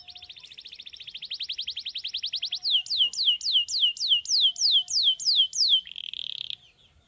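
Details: Canaries singing in the morning: a loud, fast run of rapid repeated notes speeds up, then gives way to a string of sharp, descending slurred whistles about three per second, ending in a dense buzzy trill; otherwise quiet.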